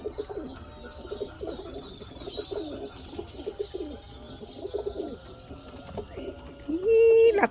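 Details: Neighbour's pigeons with violet-looking necks, cooing in low, throaty pulses that roll on steadily through most of the recording, with a sudden loud clatter near the end.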